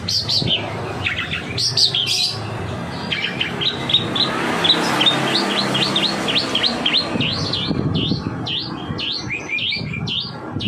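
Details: Long-tailed shrike singing, used as a lure to prompt other shrikes to sing: a fast, busy run of high chirps and sharp rising-and-falling whistled notes, many repeated in quick succession, over a steady murmur of background noise.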